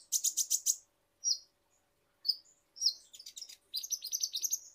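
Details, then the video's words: Kolibri ninja (ninja hummingbird) lure song from Indonesia: a quick series of five loud high chirps, short buzzy slurred notes, then a fast, rich high twittering trill at the end. "Pancingan Super Ampuh Konin Bahan Auto Gacor | Kolibri Ninja Gacor"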